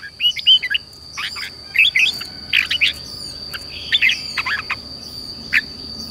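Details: Red-whiskered bulbul singing for morning song training meant to stir newly caught birds: short clusters of sharp, liquid chirps and whistled notes recur about every half second to second, over a persistent thin high-pitched hum.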